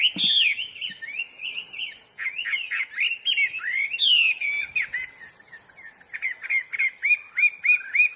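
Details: Vigorous song of a wild Hwamei, a nonstop medley of loud whistles, quick trills and sweeping slurs, ending in a crisp series of short upswept notes repeated about three per second.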